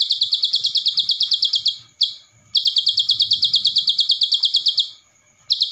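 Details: Javan sun-bird (ciblek) singing a fast training song for other songbirds: long bursts of rapid, high, tinkling notes repeated about three per second, broken by a short pause and a half-second gap.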